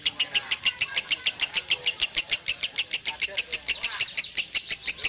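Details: Lovebird singing in the long, continuous konslet style: a rapid run of sharp, bright chirps, about six or seven every second, kept up without a break over a faint low background rumble.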